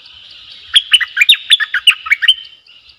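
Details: Bulbul kept in a cage as a decoy bird, 18 December 2021, giving one lively phrase of about ten clipped, rapid whistled notes that dip and rise, over a faint steady high hiss.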